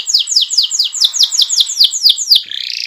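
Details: Canary lure song to spur other canaries into rolling: a quick, regular series of about twelve loud, sweeping down-slurred high notes, closing with a short fast buzzy trill.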